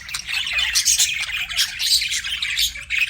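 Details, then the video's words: Budgies chirping continuously: a busy overlapping chorus of high twittering and scratchy chatter with no pauses, several birds calling at once. "BUDGIES CHIRPING SOUND"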